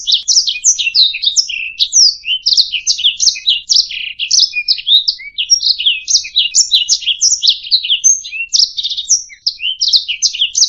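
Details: Canary singing on a master track for training songbirds: a long, nonstop flow of quick chirps, trills and down-slurred notes, occasional clear high whistles, even in loudness across ten seconds, no background noise.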